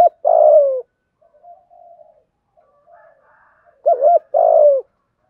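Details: Spotted dove in 'thúc gù' cooing with the 'giọng thổ' and 'hạp bokổi' voices. The tail of one long falling coo gives way to soft low murmuring, then a full phrase: a wavering double note and a sustained descending coo.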